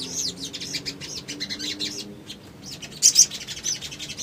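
Little spiderhunter giving a fast run of thin, high, sharp chirps, then a brief pause and a couple of louder squeaky notes.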